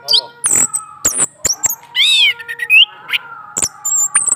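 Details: Caged male orange-headed thrush responding to a female placed below his cage, giving sharp high clicks, a drawn-out arched buzzy note and short upslurred whistles with brief pauses between.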